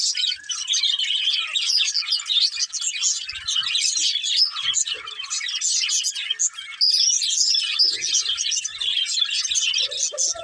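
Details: A breeding pair of budgerigars kept as pets chatter without pause, a dense high warbling of quick chirps and squeaks that runs the whole time with hardly a break.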